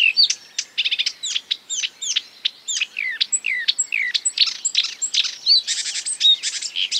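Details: Mimicking marsh warbler pouring out a rapid medley of borrowed bird notes, including sharp ticks, downslurred whistles and rising chirps, delivered in quick succession for seven seconds without a break.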